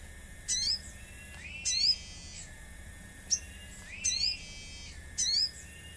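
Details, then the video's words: Common iora as a lure with nature sounds: high arched whistled chirps in short bursts about once a second, some with a drawn-out rising whistle, alongside sharp ticks and a steady faint hiss. "Pancingan sogon agar bunyi | sogon gacor suara alam | di jamin langsung nyaut"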